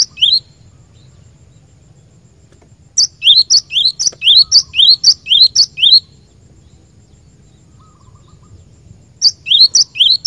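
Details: Cinereous tit song for training caged birds: long, regular runs of crisp paired notes, a high sharp chip then a lower rising whistle, about two phrases a second, separated by a quiet pause over soft low hum.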